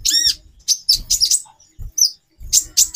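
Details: Female brown-throated sunbird (konin), whose calls are used to raise a male's breeding drive, gives sharp high chips and short thin whistled notes in uneven groups, with faint low knocking sounds.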